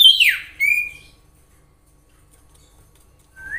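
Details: Common iora, recorded in nature and used to lure other ioras: one loud whistle dropping steeply in pitch, a short level whistle, then silence until a faint rising note at the end.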